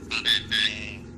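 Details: A trained Javan pied starling imitating Javanese speech such as "piye" and "oke": three quick, raspy, word-like syllables within a second, high and harsh-toned, over a low background hum.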